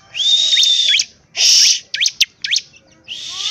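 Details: Bar-winged prinia (ciblek) in energetic song: a high steady whistle inside a buzzy burst, a short harsh rasp, a few quick upswept chips, then another buzzy whistle starting.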